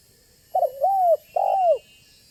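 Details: Spotted dove, banggo type, calling busily as a lure to draw other spotted doves to answer and approach; a clipped opening note runs into a long falling coo, then a second mellow descending coo follows after a short pause.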